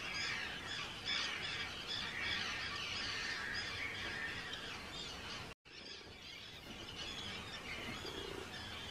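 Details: Breeding colony of Arctic terns on Rottumerplaat, the Netherlands, 4 June 2023; a constant chatter of harsh, high screeches from many birds, with a brief break in the sound midway.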